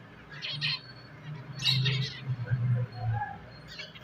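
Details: Pet finches chirping in short bursts of bright, rapid notes, then a denser burst of squeaky chirps, with a steady low droning hum underneath.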